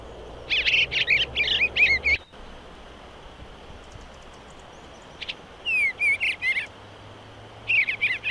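Eastern bluebird singing soft, mellow warbled phrases of quick, slurred notes in three short bursts, with quiet pauses between.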